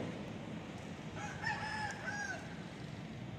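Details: Rooster crowing, recorded on an ASUS Zenfone 2 Laser phone: a single mid-distance cock-a-doodle-doo of about a second and a half, stepped harmonic notes ending in a drawn-out falling tail, over a steady low background rumble.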